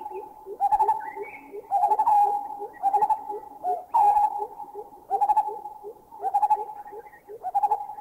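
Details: Lineated barbets from Thailand calling, a bubbling call joined by a double note call, with a greater cuckoo whooping behind. Loud, rapid runs of hollow notes recur about once a second over softer, lower repeated notes.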